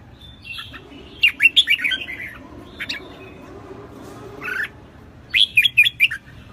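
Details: Red-whiskered bulbul, newly wild-caught, singing intensely in 2024: clusters of sharp, slurred chirps and whistles in three main bursts, with faint background hum between phrases.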